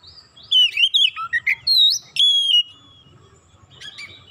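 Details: White-rumped shama in song, played to spur other shamas to sing: a quick series of fluty, looping whistles and slurred notes lasting about two seconds, then quiet with a faint phrase.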